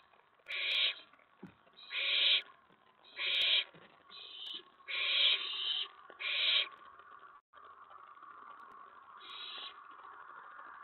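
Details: Owlet in a nest box on the night of 19 May 2017, excited by another owl on the tray: six harsh, breathy screeches about a second apart, then a pause filled by a steady low hum before one last softer screech.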